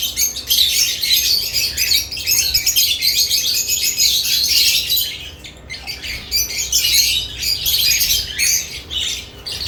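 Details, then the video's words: Lovebirds in nest box activity keep up a steady wall of shrill, twittering chirps, dipping only briefly midway before the busy chatter resumes. "Lovebirds add nest boxes activity & chirping sounds"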